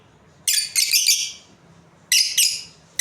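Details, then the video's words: Pet Australian lovebird breeding pair chattering with long, harsh, high-pitched screeching chirps in two bouts, each made of two or three joined squawks, with no other sounds beyond a quiet room. "Australian Lovebirds Chirping Sounds | breeding pair"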